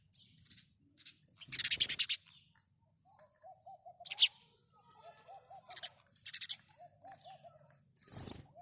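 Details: House sparrow chirps come in scattered bright bursts, one loud run near the start, over a soft background of short repeated low hooting notes from another bird.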